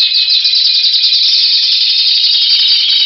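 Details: Timbrado canary power song recorded in February 2012: dense, continuous metallic trilling and rolling phrases, loud and unbroken, with fast repeated notes throughout.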